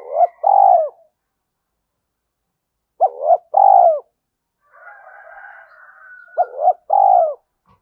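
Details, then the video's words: Spotted dove fast coo, played to provoke wild doves: three low hooting phrases, each a quick doubled note then a drawn-out falling coo, with a brief rustling, chattering noise in the middle. "Tiếng cu gáy thúc gù tốc độ/ cu gay kich boi nhanh noi gù"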